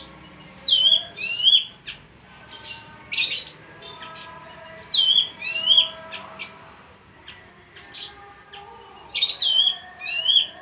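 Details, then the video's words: Bayeman bird in persistent song, bursts of quick, high, buzzy trills ending in a falling whistled twist, repeated in clusters separated by short quiet gaps. "suara burung bayeman gacor"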